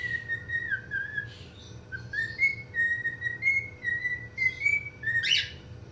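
A cockatiel whistles clear, sliding notes that rise and dip in a loose tune, ending in a harsh chirp.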